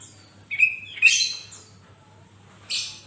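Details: Active sooty-headed bulbul singing, meant to get other bulbuls going: a whistled note rising into a loud, rough high burst, then a pause and a second hissy burst near the end.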